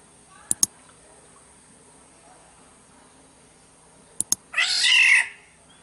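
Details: Black-naped oriole from Sumbawa, used as a lure sound: one harsh, nasal, cat-like squall lasting about a second near the end, after two sharp clicks early on, over a faint steady hiss.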